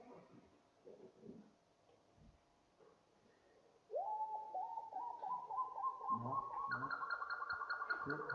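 Spotted Nightjar: a fast run of yelping notes that climb steadily in pitch and quicken into a gobbling series, after a few seconds of quiet room murmur.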